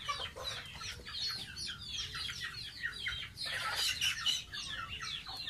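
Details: Young pet goose at bath time gives rapid, high, downward-sliding peeps in dense runs, with a brief louder, busier burst near the middle.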